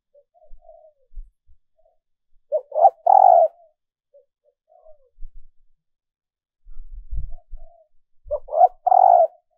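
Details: Hen dove's call to lure males: soft muttered coos between two loud stepped three-part coos, with some low thuds in the background.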